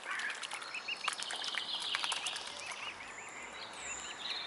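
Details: Cygnets of the mute swan uttering looping, wavering high whistles, several in quick succession near the end, with persistent outdoor noise behind them.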